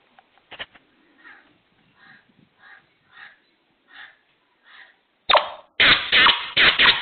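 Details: Black francolin heard first as a series of faint, evenly spaced hoarse notes, then a burst of loud, raspy, clustered calls over the last two seconds.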